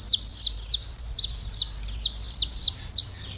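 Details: A saffron finch (Sicalis flaveola) sings its classic song, a steady string of sharp, high, downslurred chips at about three per second, over a faint low hum.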